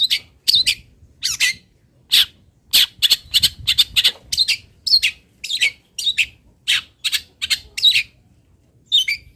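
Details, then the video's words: Local long-tailed shrike (cendet), Pati, Indonesia, giving fill-in song for a master recording. A long, irregular run of harsh scratchy notes comes in bursts and clusters, with short pauses and a quieter close. "ISIAN WAJIB BURUNG CENDET - 99,01% PATI ADA ISIAN MODEL INI | MASTERAN CENDET LOKALAN"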